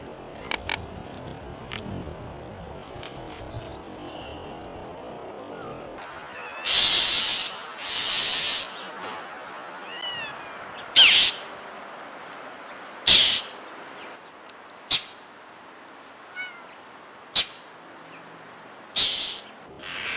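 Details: A Northern Mockingbird dive-bombing a tabby cat gives harsh, raspy chack notes, repeated every couple of seconds.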